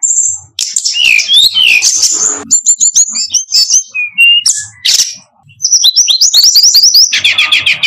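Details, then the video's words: Tutor recording of brown-chested jungle flycatcher song, a rich varied medley of sliding whistles, twittering phrases, short chips and a run of rising high notes near the end, played loud. "suar sikatan rimba dada coklat"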